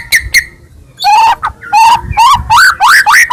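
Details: White-rumped shama, Medan type, singing to provoke other shamas: two short high chips, then a series of mellow whistled phrases, each rising and slurring upward, repeated about every half second.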